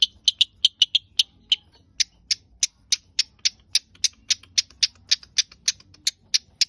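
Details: Long-tailed shrike giving a long, regular series of sharp, high, rasping chips, roughly two per second, with a faster cluster at the start.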